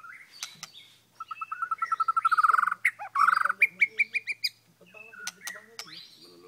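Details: White-rumped shama from Kota Aur, Sik, a short-tailed bird known for marathon singing: a quick series of clear whistled notes swelling in loudness, then a higher run of repeated notes, followed by softer scattered chirps and clicks.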